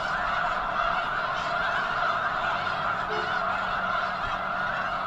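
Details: Huge flock of snow geese gathered near the eastern end of Potholes Reservoir, likely before migrating north to breed on arctic tundra; a dense, unbroken chorus of overlapping nasal honks and yelps fills the air.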